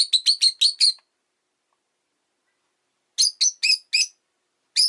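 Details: On a leisurely afternoon, a rosy-faced lovebird rattles off six shrill, evenly spaced chirps, falls quiet for two seconds, then resumes with five more and a final note.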